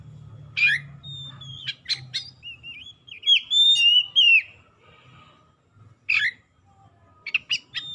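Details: Oriental magpie-robin singing as a lure to make lazy or mute birds sing: a harsh start, a thin whistle, sharp chips, a long warbled and looping whistled phrase, then a rough note and quick chips.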